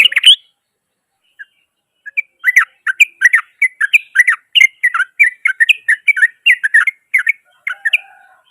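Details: Yellow-vented bulbul singing loudly, a rough rapid song said to agitate rival bulbuls: a brief opening phrase, a pause, then a long run of quick, bubbly, chattering notes, several each second.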